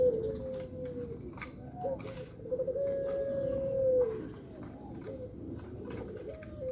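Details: Pelung dove sunbathing to stay healthy, giving long, drawn-out, level coos on a low steady pitch, several notes within seven seconds, some ending in a slight downward glide, over a soft rural background murmur.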